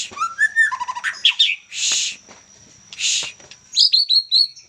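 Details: Young white-rumped shama, Medan type, delivering rising whistled notes and a fast stuttering trill, followed by two long harsh rasping bursts and a closing run of four sharp upslurred whistles.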